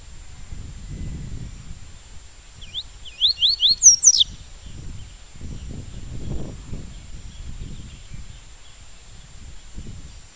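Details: Double-collared seedeater, 'tui tui' song type. A single short phrase starts with separated upslurred whistles, then speeds into a burst of sharp, high, falling notes. Soft low rumbling noise fills the rest, and a thin steady tone runs in the background.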